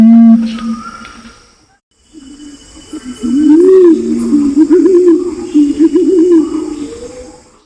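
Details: A Pinon's imperial pigeon from Nabire, Papua, Indonesia, in a male-and-female lure-call recording gives deep, moaning coos: a short low hoot, a pause, then a long wavering, rising-and-falling growl over a faint hiss.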